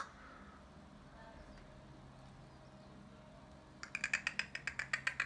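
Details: Crows talking to each other with clicks: a quiet hissy stretch, then a rapid, even series of short sharp clicking notes, about four per second.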